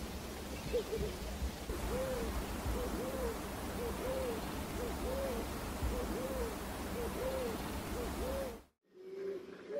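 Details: Pigeon cooing: a steady run of low, arched coo notes repeated roughly every 0.6 seconds over a constant background hiss. It cuts off abruptly near the end, and a single fainter low note follows.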